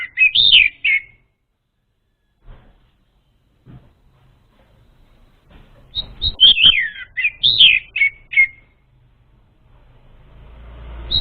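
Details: Lure song of the orange-headed thrush, played to prompt untrained birds: a short burst of sweet, tumbling warbled notes, a pause with faint clicks, then a longer run of fast, varied whistles and slurred phrases, with low hiss.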